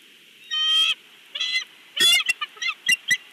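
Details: Male bald eagle at its nest in Big Bear, captured by a live nest camera; a high, thin, squealing note followed by quick bursts of piping, chattering chirps in an uneven series.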